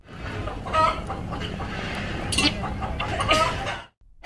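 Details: Hen clucking: a few short, soft clucks stand out against a steady broadband hiss and background rustle.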